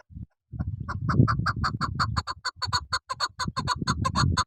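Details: Female chukar partridge used for hunting, repeating rapid, harsh clucks over a loud low rumbling background after a brief pause at the start.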